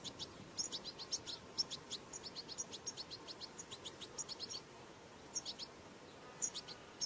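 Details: Young European goldfinches, çipil saka chicks, giving high twittering begging notes in fast series, busier in the first half, then sparser double chirps toward the end.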